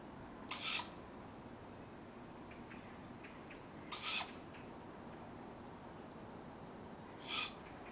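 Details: At dawn in a large Welsh woodland in July, tawny owlets call for food: harsh, wheezy hissing screeches, each about a third of a second, repeated every three seconds or so over a quiet background hiss.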